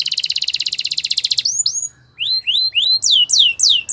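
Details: Belgian canary singing to stir other canaries into song: a fast rattling trill of rapidly repeated notes, brief silence, then a series of loud downward-slurred whistles.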